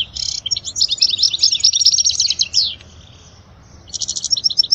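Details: European goldfinch singing to tutor young birds: a dense run of bright, tinkling twitters and buzzy trills for almost three seconds, a quiet gap, then a fresh burst of rattling chirps.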